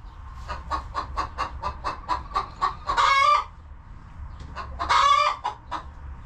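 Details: Hens relaxing and feeding in a farm coop: a run of about fourteen soft, evenly paced clucks, then two loud raspy squawks two seconds apart, with a few quiet clucks after.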